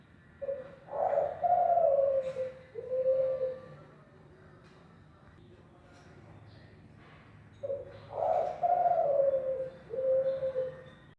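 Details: Spotted dove of the Kelantan type, a kept cage bird, cooing as a model for other doves to learn: two phrases about six seconds apart, each a short note, a rolling drawn-out middle note, then a lower closing coo, in quiet surroundings.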